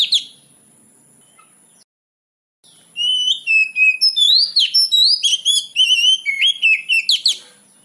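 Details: Lure song of an Oriental magpie-robin meant to get young birds to reply. After a brief note and a pause, a burst of varied whistles, upward slurs and fast twittering notes follows, with a continuous high whine in the background.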